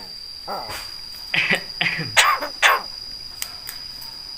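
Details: Coughing imitation by a Javan myna (jalak kebo), a bird said to copy human voices, greetings and coughs: several short harsh cough-like bursts in quick succession over a constant background hum.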